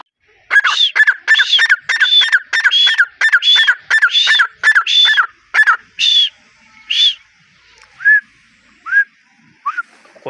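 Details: A young captive male grey francolin of the Deccani breed gives a quick run of about fourteen harsh, ringing notes, then several slower, spaced notes. No other sounds stand out.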